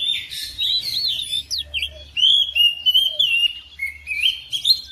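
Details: Household oriental magpie-robin answering another bird, loud clear whistled phrases and rising slurs followed by rapid chirping notes in short repeated bursts, over a faint low hum.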